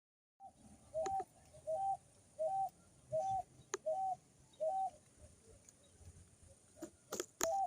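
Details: Picui ground dove singing: a series of six short, soft cooing notes, each rising then dipping, repeated about every 0.7 seconds. The series then stops and is followed by a few sharp clicks and faint scattered sounds.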